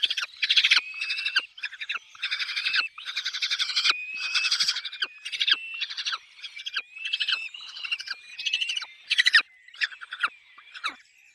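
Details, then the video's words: Near-continuous harsh chattering at a peregrine falcon nest with chicks, grating calls running in long stuttering phrases with thin whistled tones threaded underneath. "peregrine falcon nest"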